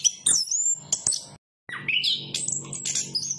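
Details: Chestnut-capped thrush giving high, sweeping whistled notes, a short pause, then a rising whistled phrase followed by busy trills.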